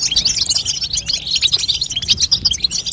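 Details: Rapid high twitters and sharp chirps from a female European goldfinch, used to stimulate a young goldfinch to start singing, dense and continuous.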